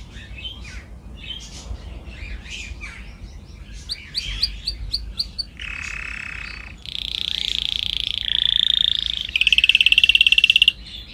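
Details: Canary song used as a training recording for other canaries: a varied run of chirps and twittering notes, then sustained buzzy rolls and a fast pulsed trill to close.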